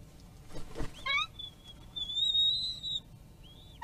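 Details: Bald eagle at its nest, filmed by a forest-service live-stream camera in Kisatchie National Forest on 12.01.2022 at 15:48; a few quick piping notes, then a long loud high whistle held about one second, another brief whistle closing.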